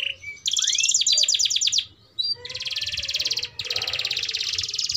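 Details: Long-running canary song for young canaries to learn from: a fast trill with a rising whistled sweep, a brief silence, then two extended buzzy trills of rapidly repeated notes.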